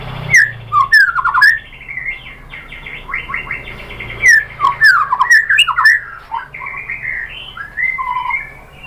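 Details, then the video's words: White-rumped shama (murai batu) lure song meant to provoke another bird into singing: varied loud whistled phrases and sharp downslurred notes, with harsh squawk-like bursts in quick uneven succession over a steady low hum. "MURAI BATU jadi NYAUT GACOR BONGKAR ISIAN ¦ PANCINGAN MURAI ¦ SHAMA BIRD"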